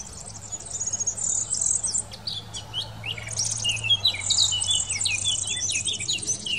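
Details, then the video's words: Eurasian blackcap singing in the Wittlich valley, Germany, in 2018: a fast, high, scratchy twittering warble, then louder, clearer fluty notes that dip lower in pitch, over a faint steady low hum. "Mönchsgrasmücke singt"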